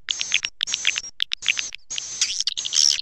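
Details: Swiftlet lure call with four or five sharp bursts of high, thin twittering over a steady whistled tone, separated by brief pauses. The last burst is busier and shriller.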